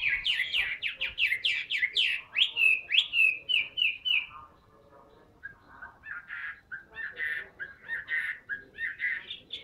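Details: Caged Chinese hwamei, a large tame bird, singing a rapid series of loud rising and falling whistled notes, then a softer, more broken stretch of short phrases after a brief pause.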